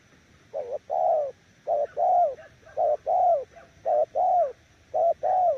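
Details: Spotted dove cooing in the 'nước gù' style, a steady series of paired notes: a brief soft note, then a fuller, slightly arched coo, repeated five times at near one-second intervals with little other sound.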